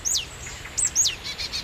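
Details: Adult marsh tits alarm calling near their nest while a tawny owl perches about 15 metres away in evening sun: high thin downslurred notes, three in under two seconds, then faint buzzy notes.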